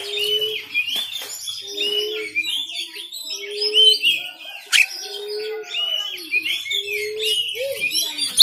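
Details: Oriental magpie-robin song from Banten, captured on an Android phone and meant to stimulate caged kacer to sing and open the tail: chattering whistled phrases run over a low, steady note repeated roughly every 1.2 seconds.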